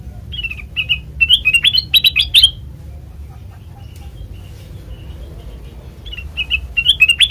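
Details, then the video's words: Black-crested bulbul lure for trapping: quick clusters of bright, upslurred chirps, a long near-silent gap with low background hum, then a fresh burst of chirping. "Suara Asli Kutilang Emas Pancingan Pikat Masteran"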